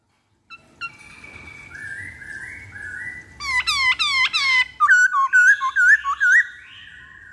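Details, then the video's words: Black-throated laughingthrush song used as a lure: long steady whistles stepping downward, then a rapid volley of strong descending slurred notes and a string of short rising whistles, indoors with faint background hum. "Pancingan Poksay Hongkong Paling Ampuh"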